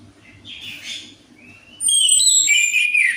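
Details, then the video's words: Lure song of an Orange-headed thrush to coax a bird into song. A soft, rough note gives way to a loud, sustained run of overlapping clear whistles that slide gently downward, over a faint low hum. "DENGAN PANCINGAN ANIS MERAH AMPUH INI, ATASI SUSAH BUNYI ANIS MERAH"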